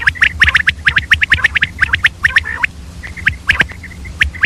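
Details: Female common quail, early morning: a dense, rapid chatter of clicking chirps for over two seconds, then sparser short whistles and isolated ticks.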